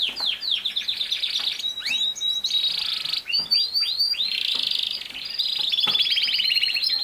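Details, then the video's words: Canary song meant for training a young male to sing: fast repeated chirps sweeping downward, a long buzzy roll, then quick bright trills running almost without pause. "How to make a CANARY Sing fast | The BEST video for CANARY SINGING"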